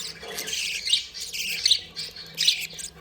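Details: Happy, playing budgerigars give scratchy buzzing chatter with a sharp squeak in each of three bursts under a second apart.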